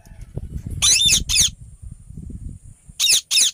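A rose-ringed parakeet gives two pairs of harsh, loud, grating screeches, each about half a second long, over a low background rumble.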